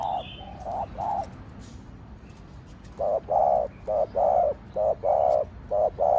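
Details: Spotted dove with the Thổ Đồng voice: a few soft low coos, a pause of about two seconds, then a loud rapid string of hollow coos in uneven pairs, over faint background chirping.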